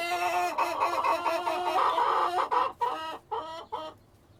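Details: Cockerel and hens on a farm, a sustained strained harmonic call breaking into a run of short, evenly spaced clucking notes that fade away.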